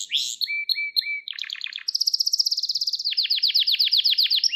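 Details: Gloster canary training song meant to stimulate males and teach young canaries: a few clear whistled notes, then a buzzy roll, a fast even trill and slower repeated down-slurred notes.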